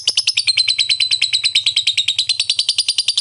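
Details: Lovebird in the fast ngetik ngekek fighter style, used to provoke silent lovebirds into answering. It gives an unbroken, very rapid run of high, sharp ticking chirps, about three per second-fraction, over a faint low hum.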